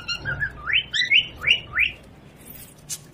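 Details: Pet parrot at home, playing with a baby: a short run of five clear whistled notes, each rising and sliding upward, spaced about a third of a second apart, then a faint high rustle near the end.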